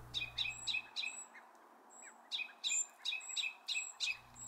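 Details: Male and female Ruby-crowned Kinglets in northern woods in June, mobbing grey jays near a likely nest, give quick, dry, double-noted alarm chatters every half second with thin, very high whistles; low rumble at start and end.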